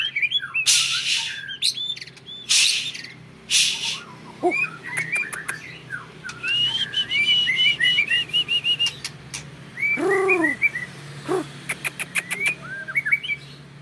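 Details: White-rumped shama from a champion breeding line, caged, delivers varied whistled phrases and rapid chattering runs, with repeated loud rustles and clicks, plus a lower descending call near the end.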